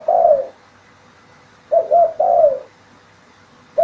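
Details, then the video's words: Spotted dove singing, a loud full-voiced performer: a short coo then a long falling coo, a pause, and another phrase of two quick coos followed by a drawn-out descending note, with faint room hum. "SUARA BURUNG TERKUKUR GACOR"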